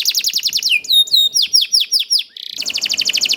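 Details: Canary song meant to get other canaries singing: a rapid rattling trill, a few downslurred whistles, a brief buzzy note, then a fast even roll of high pulses to the end.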